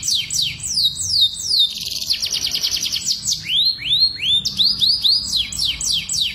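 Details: Canary breeding song to hasten pairing: descending sweeping notes give way to a rapid buzzy trill, then a run of rising whistled upsweeps, continuous and bright.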